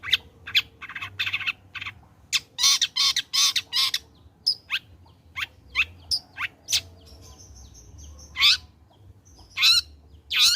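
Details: Long-tailed shrike singing eagerly after its moult, used to lure others into song: a rapid, chattering string of harsh, scratchy notes, followed by a thin, high, steady whistle and scattered rasping calls.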